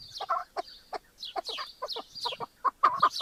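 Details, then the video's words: Chukar partridge giving a loose run of short clucking chuk notes, some doubled, with faint higher squeaky overtones and brief pauses between bursts. "Partridge Call | Chukar Sound Effect and Video"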